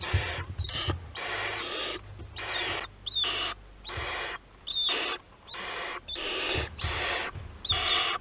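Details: Barn owls on a nest webcam at Théding, France, 4 July 2022: a rapid series of about ten harsh, breathy hissing bursts, each around half a second long, at uneven intervals over a faint low hum.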